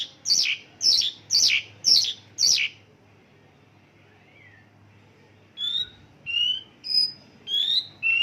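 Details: Mongolian lark with isian lokalan song of local bird phrases: five sharp, evenly spaced down-sweeping chirps, a pause of near silence, then five thin whistled notes.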